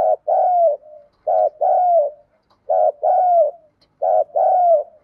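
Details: Female decoy spotted dove calling in the 'one-ending' style to lure and provoke males: four two-part coos, a short wavering note then a longer, slightly falling mellow one, roughly every 1.4 seconds, with faint soft notes between.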